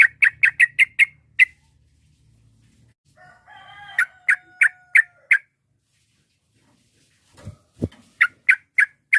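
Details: Sooty-headed bulbul calling to stir up rivals: quick series of sharp clipped chirps, a brief steady whistled tone, more chirp series, and a low thump near the end.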